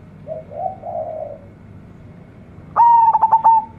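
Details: Zebra dove of a local strain, said to sing often with a big voice: a few soft wavering coos, a pause, then a loud ringing tone chopped into quick pulses before it trails off.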